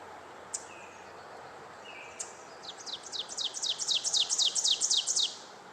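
Ovenbird song: about a dozen quick, high, ringing phrases repeated several times a second, starting soft and swelling steadily louder to an emphatic end.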